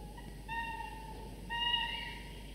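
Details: Nest of two falcon chicks, 24 to 25 days from first hatching, fed prey brought by their father for an early meal. Two long, whistled, whining notes with a nasal, harmonic tone, separated by a short pause.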